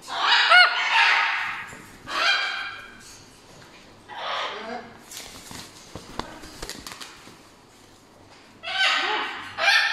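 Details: Two pet macaws indoors give loud, harsh, raspy squawks in short bursts, several seconds apart, with quieter rustling and indoor noise between.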